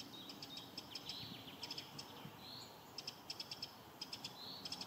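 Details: In spring, a Eurasian wren gives alarm calls: hard, high ticking notes in quick bursts of two to four, with soft hissy sounds between them over a faint background hum.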